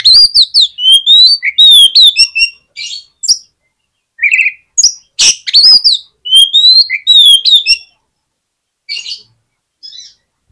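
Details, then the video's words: Oriental magpie-robin song, used to coax lazy magpie-robins into answering: a rapid, varied run of clear whistled notes, rising slurs and sharp chips, delivered in bursts with short pauses between phrases. "KACER MALAS BUNYI JADI IKUT NYAUT DAN GAMPANG RESPON DENGAR SUARA KACER INI"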